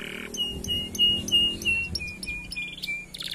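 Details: Canary song played to stimulate non-singing canaries: a series of clear whistled notes repeated about three times a second, steady in pitch then dropping slightly, ending in a brief burst of faster notes, with low hum behind.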